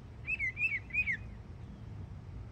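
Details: Yearling Northern mockingbird singing in Florida: three clear slurred whistles, each falling at its end, delivered quickly one after another, then quiet.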